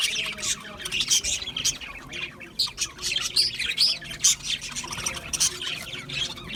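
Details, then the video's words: Budgerigars chirp and squawk in clipped bursts, with piercing short whistled notes standing out over a scratchy background warble and small gaps between phrases. "Budgie Parrots Chirping sounds"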